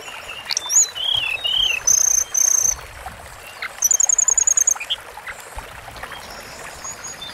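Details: Sunda forktail song meant for long-duration bird training: sliding high whistles and a sustained pure note, then a quick even trill of about ten sharp notes, followed by quieter scattered chirps.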